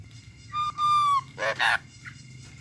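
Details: Myna singing: a long level whistle that slides slightly upward, a stack of harmonic notes, then two loud harsh rasping bursts and a short final note, with a steady faint electronic hum beneath.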